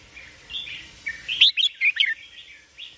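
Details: Sooty-headed bulbul: soft warbles, then a clear sequence of four loud, rounded chirping notes, over a hissy background.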